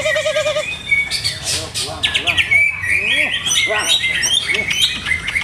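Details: Caged greater green leafbird during trials of its song setting. Opens with a wavering low warble, then bursts into varied chirps, sweeping whistles and quick rising notes.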